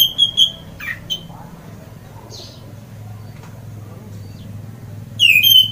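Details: Orange-headed thrush (Geokichla citrina) singing loudly: ringing whistled phrases in short bursts at the start and end, with some falling notes between, over a low steady hum.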